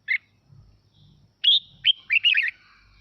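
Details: Red-whiskered bulbul in natural 'mộc' style, sung to rouse other birds into singing. A lone sharp chirp, a pause, then a quick run of rising and warbled whistled notes with a few rolling trills at the end.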